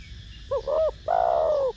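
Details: Single cooing phrase from a spotted dove of the 'thổ đồng' voice style, used to lure doves: a short note, a rounded hoot, then a sustained downward-gliding coo.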